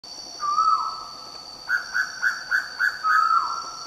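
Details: Steere's pitta at Rajah Sikatuna National Park, Bohol, on 22 April 2015: a drawn-out level whistle with a falling tail, a run of six short clipped notes, then another long whistle, over steady high insect hiss.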